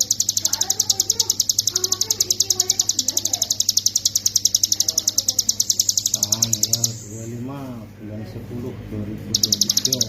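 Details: Hill prinia singing continuously in the ngebren manner, as a master recording for teaching songbirds: a long, rapid, high ticking series lasting about seven seconds, then a pause with faint murmuring, then the trill resumes.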